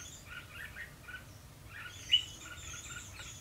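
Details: Red-whiskered bulbul used as a lure in a fight trap, singing its fighting song to draw rivals in, recorded 12 February 2016; short chirpy phrases of warbled notes, with a single sharp high note near the end.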